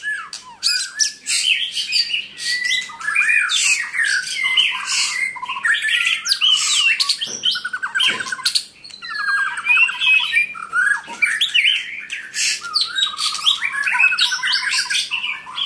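A White-rumped shama sings a rich, nonstop medley of fluty whistles, rapid trills and harsh chattering phrases, bright and loud throughout.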